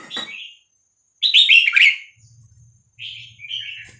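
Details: Red-whiskered Bulbul of the Vietnamese 3-4-5-6-7 song style, played to teach young birds and excite them: a short note, a loud rich bubbling warble, then two softer slurred phrases, over a faint low hum.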